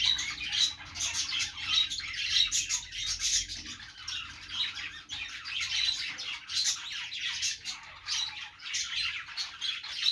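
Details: Budgerigar flock chatter, a dense warble of squeaks, chirps and harsh notes with clear whistled pips standing out, over a faint steady low hum.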